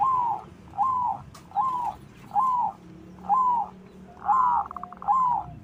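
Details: White zebra dove used to stir other doves into song, giving slow, evenly spaced rounded coo notes, roughly one every eight-tenths of a second, over a low hum.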